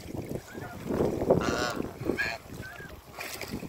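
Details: Farm-kept African geese, a couple being met, utter two brief harmonic honks in the middle of the recording amid heavy low rumbling and handling noise.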